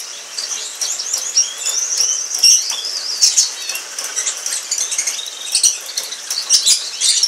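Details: A pair of Orange Frost canaries singing: a continuous, high warbling run of rapid twittering trills and sliding whistled notes, with scattered sharp clicks and rustles from the birds moving about.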